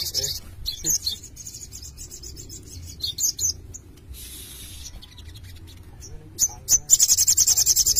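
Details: Little spiderhunters, several birds singing busily: scattered sharp, very high chirps, then a fast run of about a dozen evenly spaced high notes near the end, over a low steady hum.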